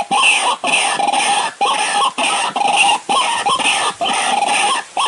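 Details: Dry-season trapping lure of a white-breasted waterhen: a rough, nasal note repeated about once a second in uneven pulses, harsh and rich in overtones, loud and close throughout.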